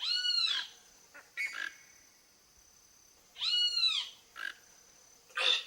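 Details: Free-living toco toucan on a backyard visit looking for food gives two hoarse, arched, harmonic calls about three seconds apart, each followed by brief clicks, against a constant thin high whine.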